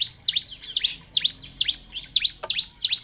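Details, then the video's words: Bar-winged prinia song, used as a lure recording to get other prinias singing: sharp, high chirps repeated about twice a second, each a quick up-and-down note, with nothing else audible. "pancingan ciblek penuh emosi ini supaya ciblek diam ikut bunyi"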